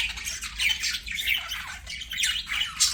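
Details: Budgies singing during play, a warbling run of chirps and harsh squawks with short rising and falling notes packed closely together.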